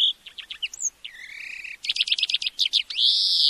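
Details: European greenfinch, in a recording for teaching a bird to sing: quick chirps, then a long drawn-out buzzy wheeze. A rattling trill follows, ending in another rising wheeze.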